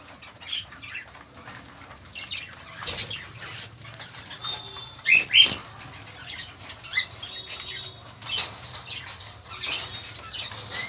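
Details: Budgerigars (Melopsittacus undulatus) in an aviary setup in Kolkata give quick, high chirps and scratchy chatter, with occasional wing flutters.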